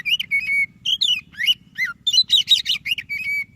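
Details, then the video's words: Lively song of a white-breasted Oriental magpie-robin, meant to stir quiet magpie-robins to sing: rapid varied whistles, falling slurs and held flat notes in quick succession, with a soft low hum beneath. "Suara Burung Kacer DADA PUTIHH Gacor cocok untuk Pancingan Kacer yang malas BUNYI."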